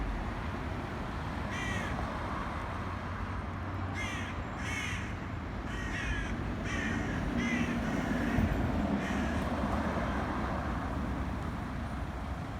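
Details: Harsh, rasping caws from black crows during an attack on a pigeon, repeated irregularly about eight times across the stretch, set against a constant low rumble of distant noise.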